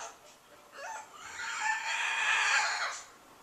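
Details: Pet bird housed on a back porch, crying on and on during a January recording: a faint short squawk, then a drawn-out raucous screech lasting about two seconds, rough and noisy throughout.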